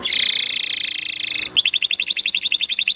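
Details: Song of a male canary: a dense buzzing trill for a second and a half, then a rapid series of sharp rising-falling notes.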